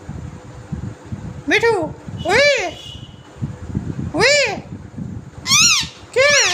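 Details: Green parrot talking: five separate arched, harmonic voice-like calls spaced about a second apart, each rising then falling in pitch, over a steady low rumbling background.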